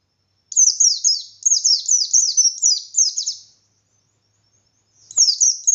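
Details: Insistent ngalas song of a white-eye meant to rile rival white-eyes into singing: quick shrill descending chirps in a three-second burst, a pause, then another burst begins.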